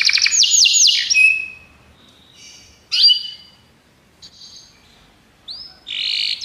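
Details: Belgian canary singing in a training recording for canaries, with bursts of rapid trills and downslurred notes broken by pauses and quiet faint notes between phrases.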